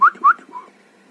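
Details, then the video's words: A pet ringneck parrot indoors gives two quick, clear rising whistles a quarter second apart, then a softer, lower whistle, over faint room noise. "Ringneck parrot video"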